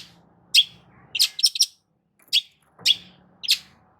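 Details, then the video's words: Long-tailed shrike singing, meant to make a quiet shrike answer: scattered harsh, scratchy chack notes, some doubled or tripled in quick bursts, over a faint low hum. "CENDET MACET COBA PANCING DENGAR KICAU EFEKTIF SUPER LANTR BONGKR ISIAN INI DIJAMIN NYAUT"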